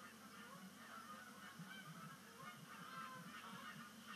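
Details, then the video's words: Migrating Canada geese make their first sunset splashdown of the year onto Sapsucker Woods Pond, 5 October 2019. A dense mass of overlapping honks runs throughout, over a constant hiss. "First Canada Goose Sunset Splashdown of the Year"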